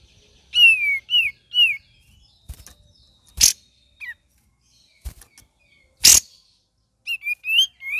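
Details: Cream-vented bulbul singing varied phrases: short downward-curving whistles in small groups, broken by sharp clicks and cracks, with a final cluster of rising whistled notes.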